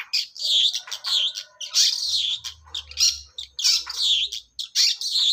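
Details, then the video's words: Dense, harsh, buzzy chatter from a young forest long-tailed shrike in unbroken ngacor song, scratchy bursts following one another almost without pause, a low hum partway through. "burung cendet mudah hutan ngacor"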